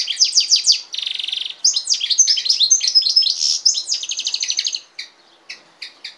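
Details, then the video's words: Goldfinch and canary hybrid singing a fast, twittering song of high, rapid notes, with buzzy trills and sharp chirps packed closely together, then a few spaced single notes at the end. "carduelis carduelis x canaria"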